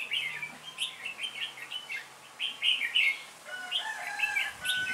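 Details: Red-whiskered bulbul used as a lead decoy bird while trapping, calling the wild flock, recorded 26 November 2017 in Vietnam; bright chirping phrases of quick rising and falling notes repeat steadily throughout, with other faint bird chirps behind.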